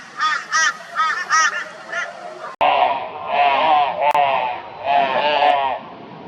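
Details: Flock of crows mobbing a barn owl in Brisbane, Australia, 22 February 2022: a crow gives about five quick, nasal caws, then a run of longer, drawn-out raucous calls in an alarmed outburst.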